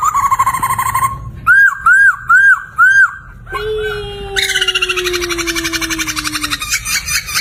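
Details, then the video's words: Poksay laughingthrush singing as a master recording for songbirds: a quavering whistle, four arched looping notes, a long descending tone, then a dense, fast buzzy trill to the end. "Suara Merdu Burung Poksay Gacor"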